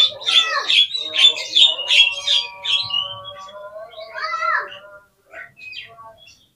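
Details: Oriental magpie-robin lure song intended to trigger replies and tail-spreading: dense, rapid chattering and whistled phrases at first, then a drawn-out tonal note and a few scattered soft calls.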